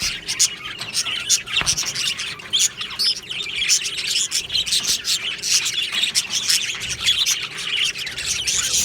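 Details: Budgerigar colony in an aviary, 22 June 2025: continuous overlapping chirping and twittering from many birds, busy and unbroken, punctuated by brief louder clicks and tweets.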